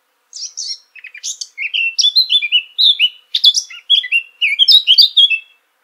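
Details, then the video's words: Eurasian blackcap singing a fast, rich warble of varied whistled and chattering notes, beginning after a brief pause and running for about five seconds against a clean, quiet background. "Vogelstimmen: Die Mönchsgrasmücke - Blackcap - Sylvia atricapilla"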